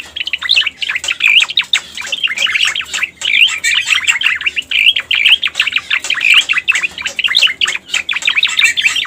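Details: Pied bushchat (cica koreng) lure recording for attracting the species: a dense, rapid stream of short chirped and sweeping notes, nearly continuous with brief breaks, bright and high-pitched throughout.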